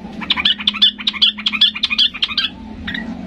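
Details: Yellow-vented bulbul singing hard and excited, meant to provoke quiet birds into replying: a fast, evenly paced string of bright bubbly notes for over two seconds, then two softer notes after a pause, with steady low hum behind.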